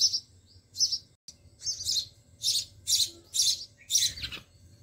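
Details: Nestling sparrows calling while being fed by the mother bird in a garden nest; a run of shrill, scratchy high chirps, about eight bursts in five seconds, over a soft low background hum.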